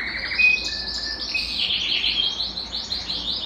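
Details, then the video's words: Belgian canary song used to warm up a cold canary: a brief whistle, then quick high rising and falling notes in rolling runs, somewhat softer and busier. "Canto de Canário Belga para Esquentar Qualquer Canário Frio"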